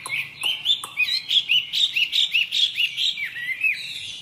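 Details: Chinese hwamei in its third season, freshly through its moult, singing a lively run of loud clear whistled phrases, rising and falling slurs repeated about every quarter second, with a low hum underneath.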